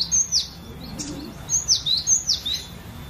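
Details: Cinereous tit kept in a collection, a lure song for training other birds: loud high whistles sliding sharply downward, given singly and then in a tighter run of three.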